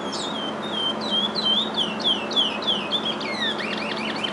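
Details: Curiós bred in captivity deliver their father's regional Curitiba song. A run of clear, down-slurred whistled notes repeats about three times per second, then breaks into quicker twittering phrases.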